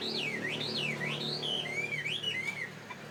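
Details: A caged Chinese hwamei kept for fighting, originally from northwest Vietnam, now in Saigon, delivers looping whistled phrases swooping up and down in smooth arcs, with a faint low hum beneath.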